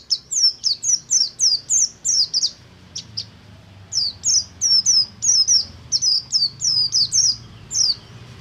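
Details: Buxtomi oriental white-eye singing ngalas to spur group-kept white-eyes: a long, fast string of high, sharply falling whistles, nearly three per second, broken by one short pause, over a low hum.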